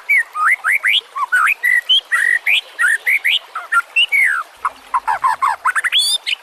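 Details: White-rumped shama singing, a master recording for training other songbirds: rapid, varied whistled slurs and chips, rising and falling, delivered in an unbroken lively stream.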